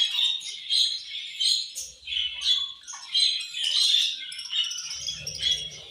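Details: Pet budgerigars chirping while eating at feeding time: dense, harsh, buzzy chatter in overlapping bursts, several birds calling together, with faint low rustling.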